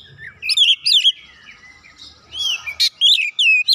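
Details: Aroused White-rumped shama answering a rival with bright looping whistles, a soft buzzy middle passage, a sharp click, then renewed clear whistled notes.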